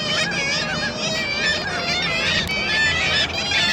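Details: Gulls at the Baltic on Tyneside, 2 April 2023: a dense chorus of many overlapping nasal, harmonic calls, some rising and falling, rapidly repeated with no pause, loud and continuous, with low background rumble.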